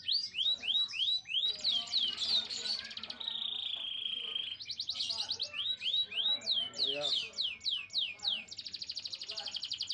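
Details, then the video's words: Canary song used to stimulate male and female canaries for mating and nest building: loud, fast high trills of repeated rising and falling whistled notes, rolling tours and a sustained buzzy stretch, continuous throughout. "تغريد كناري عالمي لتهييج الذكر وانثي الكناري لتزاوج"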